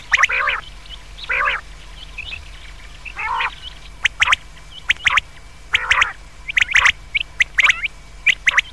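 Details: Night calling of common quail: several buzzy, nasal, harmonic phrases spaced a second or two apart, followed by rapid groups of sharp, clipped notes from more than one bird.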